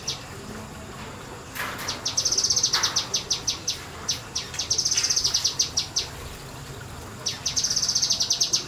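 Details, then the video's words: Kinoi bird kept in semi-wild conditions singing repeated volleys of rapid, high, metallic chirps, three bursts of quick ticking notes separated by brief pauses and a couple of lower chips. "BURUNG KINOI NEMBAK NEMBAK DI SEMI ALAM"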